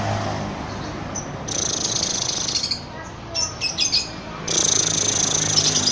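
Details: Lovebird of balibu age delivering long ngekek chatter: sustained high buzzy trills broken by brief gaps and a few clipped chirps, with a low background hum.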